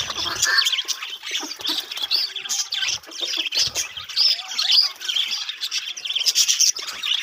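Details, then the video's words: Budgerigars in a colony setup chattering together, rapid scratchy chirps and high warbled notes in bursts separated by short quieter gaps. "budgies parrot colony setup"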